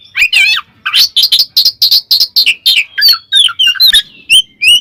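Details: Ngeplong song of a magpie robin calling a rival, a quick series of harsh chattering notes followed by descending and rising whistles.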